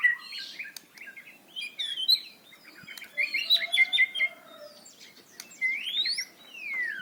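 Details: White-rumped shama, a loud, varied song used as a prompt for young birds: jumbled chirps, trills and clear whistles, ending in rising and falling slurred whistles, with brief pauses between phrases.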